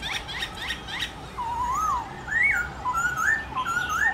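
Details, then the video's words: Black-throated laughingthrush in morning song: slow rising and falling whistled phrases after a few short clicks, over a hissy background. "Khướu bạc má hót đấu giọng rừng buổi sáng"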